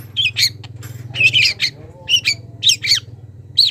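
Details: Young wild long-tailed shrike calling a rival with sharp, scratchy chips and brief whistled notes, repeated at uneven intervals over a soft low hum.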